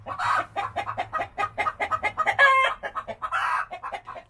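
A hen's loud egg song: a rapid run of clucks, about four per second, broken by harsh, drawn-out squawks.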